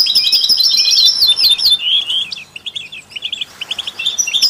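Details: European goldfinch singing among canaries and mule birds to stimulate other songbirds; a liquid, tinkling run of quick twittering notes that slows into separate short chirps, then rises again at the end.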